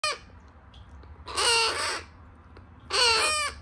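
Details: Baby African grey parrots: two loud, harsh, rasping calls rich in harmonics, each lasting under a second, about a second and a half apart, with a low hum in the background.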